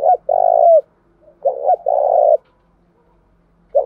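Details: Spotted dove lure call used to attract wild doves and provoke them to fight. Two phrases, each a clipped double coo leading into a drawn-out humming coo, and then the start of a third phrase.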